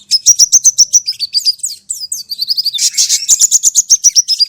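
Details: Lure song of the crimson sunbird for training a caged bird: fast, high-pitched chirps repeated about four per second in descending runs, then a burst of harsh, buzzy twittering and another falling string of thin notes.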